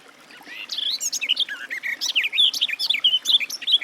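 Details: Garden warbler song building from a quiet start into a brisk, melodious stream of rising and falling whistles and chirps, steady and unbroken to the end.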